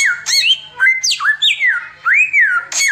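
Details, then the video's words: Samyong, the Indian robin, singing steadily in tembakan style. Rich whistles rise and fall in smooth arcs, punctuated by brief scratchy clicks. "TEMBAKAN SAMYONG NGACOR"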